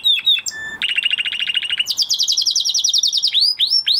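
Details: Post-moult canary song from a male bird: varied short whistles, a rattling mid-pitched trill, then a bright quick trill and a few upward-swooping notes.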